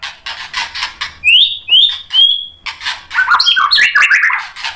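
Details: White-rumped shama used as a lure for other shamas: harsh repeated rasps, then three high clear whistled slurs, then a jumbled burst of fast warbled notes.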